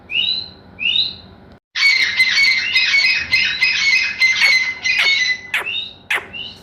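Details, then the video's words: Teetar, or grey francolin, gives paired high whistled chirps, then a dense loud burst of harsh grating notes, sharp clicks, and a return to the paired whistles. "Grey Francolin Nature voice|Teetar Awaz"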